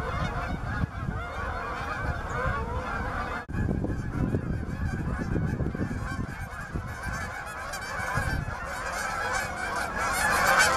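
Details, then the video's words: Canada geese honking in a dense, overlapping chorus of nasal calls, several per second, over a steady low rumble, seeking open water at Bass Ponds, Minnesota, November 23, 2013. "Canada goose"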